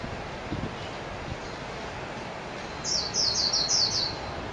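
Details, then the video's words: Japanese white-eye (mejiro) heard briefly near the end: a short run of high, thin, quickly repeated chirps after quiet background hiss. "تغريد طائر ابيض العين الياباني ميجيرو"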